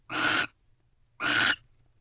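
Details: Two barn owls, a pair in a nest box at night just after midnight on 30 November 2023, one joining the other on guard; two harsh, hissing broadband screeches, each about half a second, a second apart.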